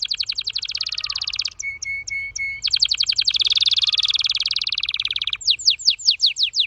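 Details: Very fast singing from a Red Factor Canary: rapid clicking trills, a short bout of level whistled pips, a long dense buzzing trill, then quick descending whistled sweeps.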